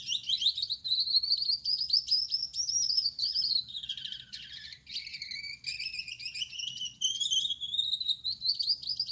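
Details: Energetic night-time song of a male Gouldian finch with yellow back, red head and white chest: a sustained high, hissing, buzzy warble that dips lower midway and then climbs again.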